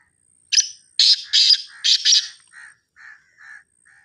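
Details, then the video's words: Charsadda partridge calling: loud, scratchy, hissing bursts delivered rapidly, then four short, softer, lower notes spaced evenly at about half-second intervals. "تارو. تیتر، کی آواز"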